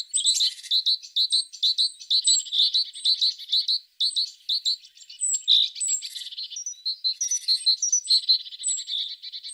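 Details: A tit repeats bright, high two-part chirps about twice a second for several seconds, with buzzy rattles and thin whistles woven through the song.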